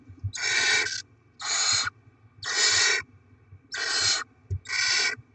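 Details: Barn owls, a pair, at a nest delivering rodents and feeding their young: five harsh, broadband hissing screeches, each about half a second to a second long, repeated at uneven intervals with faint low thumps between.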